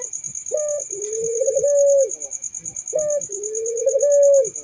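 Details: Two rounds of turtle dove cooing, each a sharp opening note then a long purring, slightly rising coo that drops at the end, over a continuous high insect trill.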